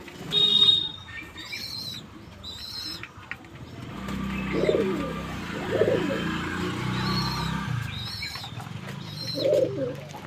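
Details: Courting pigeons make low, pulsing coos in the middle of the recording, mixed with higher chirping of small birds nearby and occasional knocks and rustles.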